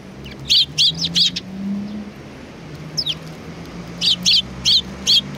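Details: Sparrows come to greet someone at a Tenmangu shrine, recorded 3 July 2020. A rapid burst of three sharp chirps, a lull with a soft call, then four more evenly spaced chirps, all over a steady low hum.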